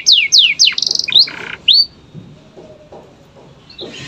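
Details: Canary master song for training young canaries to sing: several fast descending whistled sweeps, then a rapid buzzy trill and a rising note, fading into quiet low sounds.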